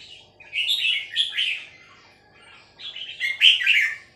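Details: Female red-whiskered bulbul singing a three-syllable song: two bright, warbled phrases, each a quick cluster of liquid chirping notes, separated by a pause of about a second and a half.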